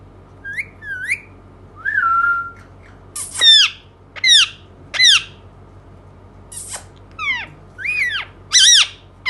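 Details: Indian ringneck parakeet mixing short upturned whistles and a level whistled note with loud, harsh, falling squawks, spaced irregularly about a second apart.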